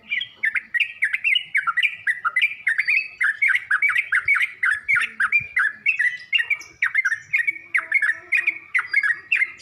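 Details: Training and lure song of a yellow-vented bulbul, played so birds learn to sing: rapid, continuous chirping of bent, slurred notes at an even pace, clear and loud throughout.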